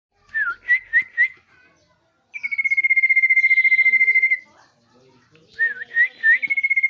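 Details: Common iora singing: a descending whistle followed by short upslurred whistles, then a long, steady, rapidly pulsed whistle lasting about two seconds, and finally more looping whistled notes ending in a trill.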